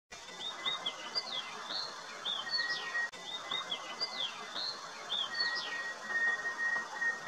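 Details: A Palani laughingthrush (Montecincla fairbanki) gives short, high whistled notes slurring up and down in quick phrases, repeated every second or so, over steady hiss and a thin ringing tone.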